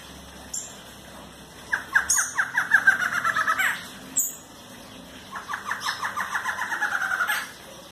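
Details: Barred antshrike calling in two bouts, each an accelerating series of short nasal notes that speed into a rattle and end abruptly, with a brief sharp note between the bouts; faint background hiss.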